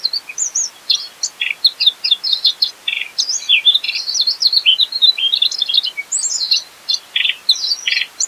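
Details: Mugimaki flycatcher in lively, continuous competition-style song packed with filler phrases: rapid, high chirps and short twittering notes, some buzzy and some whistled, sprinkled densely over eight seconds with no pauses and no background sound.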